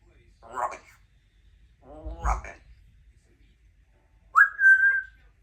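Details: A 2-year-old female Congo African grey parrot gives two short speech-like phrases in a human-sounding voice, then a clear whistle that rises and holds steady for about a second.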